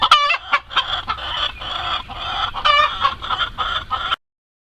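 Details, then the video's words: Hens in the barnyard coop screaming while laying eggs: a continuous series of harsh, nasal, harmonic squawks and cackles, pulsing in loudness, then an abrupt stop. "Screaming Chickens, My Crazy Chickens love to Scream, The Funny Noises Chickens Make"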